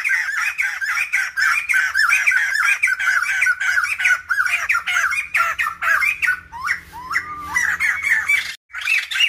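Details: Female black-throated laughingthrush, used to provoke males into singing, gives a fast, unbroken stream of harsh, squawking chatter, shifting near the end to a few clearer rising and falling whistles.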